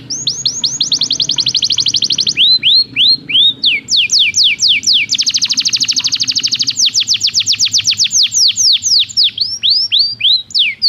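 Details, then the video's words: Belgian canary training song, loud and continuous: rapid repeated sliding notes, arched whistles, a fast rolling tour, and further runs of falling notes changing speed through eleven seconds. "O canto do canário belga"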